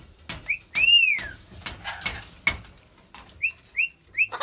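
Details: Rainbow lorikeets playing and dancing with a water bottle give short high whistled upslurs, one longer arched note, amid sharp clicks and crinkling knocks of plastic.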